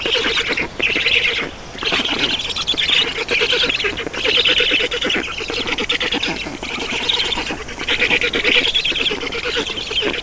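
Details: Black storks at an Estonian nest during a feeding, 7 June 2019 at 16:44; continuous hoarse, wheezy rasping, rising and falling in loudness, with short dips between bouts.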